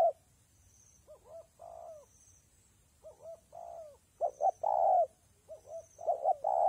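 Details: Cooing spotted dove in wet, windy weather: low mellow phrases with soft, quieter coos followed by louder, fuller ones, each a couple of quick notes and then a longer coo that slides down at the end.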